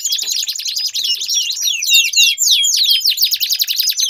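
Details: Canary singing, used to coax a canary that has stopped singing. Loud, continuous, high-pitched song made of fast repeated chirps and sweeping whistled notes packed into rapid rolling trills throughout.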